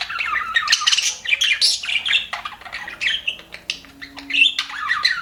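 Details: A group of happy budgerigars in an aviary twittering and warbling continuously, with rising and falling chirps and scratchy chatter overlapping.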